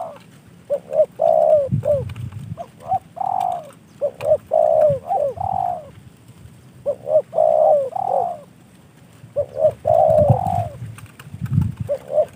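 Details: Spotted dove, a captive bird received as a gift from a fellow hobbyist, cooing in repeated phrases: short hooked notes then a long drawn coo, the sequence recurring several times with brief pauses between.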